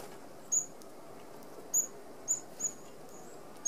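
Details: A feeding flock of red-browed finches, native to Australia, at a mesh-fronted open aviary feeder; sharp, very high, short piping calls at uneven gaps, about five heard, against a faint steady hiss.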